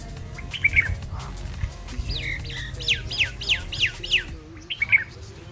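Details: Bulbul singing in the morning: a bright series of short downslurred whistled notes repeated about twice a second, with a steady low rumble of background noise.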